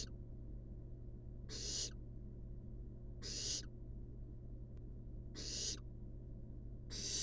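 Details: Wild barn owl nestlings napping in a monitored nest box give harsh, breathy hissing bursts, five in about seven seconds, each roughly a third of a second long, over a steady low electrical hum.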